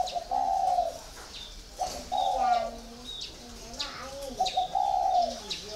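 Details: 'Còi' cooing from a spotted dove kept four years in a cage: three drawn-out, hollow, mellow phrases, each slightly falling, separated by soft lower murmurs and scattered sharp chirps.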